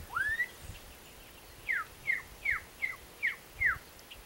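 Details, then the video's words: A black-capped donacobius (Donacobius atricapilla) sings an opening rising whistle, then a series of six loud, downslurred whistled notes repeated about every 0.4 seconds. "BLACK-CAPPED-DONACOBIUS singing"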